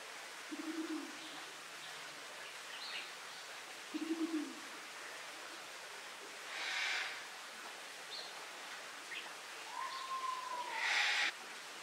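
Two short, deep, slightly throbbing coos from a Sulawesi ground dove, about three seconds apart, with a thin downslurred whistle and hissy bursts from other creatures.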